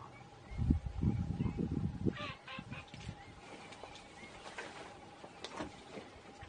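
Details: Flamingos at Agamon Hula give short, goose-like nasal honks in scattered bursts, partly buried under a low rumble of wind or handling noise in the first two seconds.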